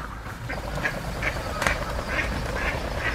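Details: Spot-billed duck at the Kurome River or Sanpoji Pond, July to December 2023, giving a fast series of short, coarse quacks, roughly two or three per second, uneven in spacing, over low outdoor rumble.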